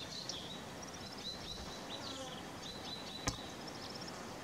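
A Red-fronted serin sings faint, high, rapid tinkling twitters and short trills over steady background hiss, with one sharp click near the end.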